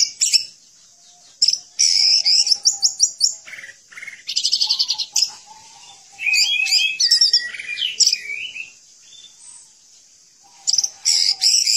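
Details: Orange-headed thrush song meant for tutoring caged birds: bursts of rapid high chattering and mimicking trills separated by short silences, with varied whistles, buzzy rattles and sharp chirps in changing phrases.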